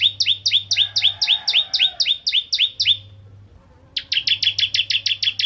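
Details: Song of a crystal ciblek, the bar-winged prinia, used as bait for other prinias: long run of rapid upslurred chips, a pause, then a tighter burst of high ticks, with a steady low hum.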